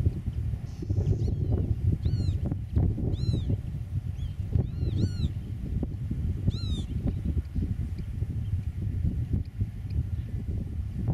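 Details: ['Eurasian oystercatcher at its nest in farmland meadow, filmed from 8 metres during meadow-bird nest monitoring; several shrill, arched piping notes in quick pairs over the first seven seconds, above steady low wind rumble.']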